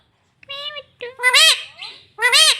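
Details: Caged pet green parrot talking in a speech-like voice: three harmonic, nasal syllables with rising-falling contours, the last two loud and strained, separated by short pauses.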